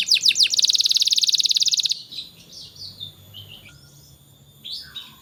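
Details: Canary song meant to encourage young canaries to sing: a few sweeping notes leading into a fast, dense buzzing trill lasting about a second and a half, then quieter scattered chirps.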